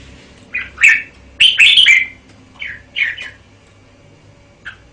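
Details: Red-whiskered bulbul giving a few loud, liquid chirruping phrases, a bright cluster around the middle, then softer single notes and a pause.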